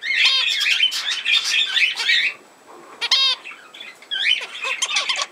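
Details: Budgerigars recorded on 17 November 2024: a burst of busy, squeaky warbling for two seconds, a short lull, then rapid ringing chirps and more twittering chatter with quick rising whistles.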